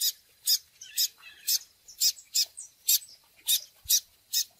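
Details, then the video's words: Double-collared seedeater of the "tui tui" style, kept for training, repeating loud buzzy high chips roughly twice a second over a steady hiss, with softer notes between them. "COLEIRO TUI TUI FOGOSO MUITO BOM PARA O MANEJO!!!"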